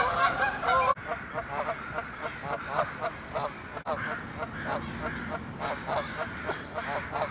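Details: Canada geese honking while flying off, quieter and more distant, with evenly spaced harmonic honks and two abrupt clicks breaking the recording.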